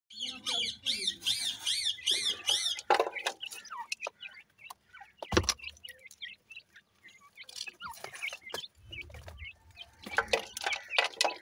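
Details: Grey francolin chicks calling: a rapid run of high, thin, chevron-shaped peeps repeated several times a second through the first three seconds, followed by sparse chirps among clicks, knocks and handling noise.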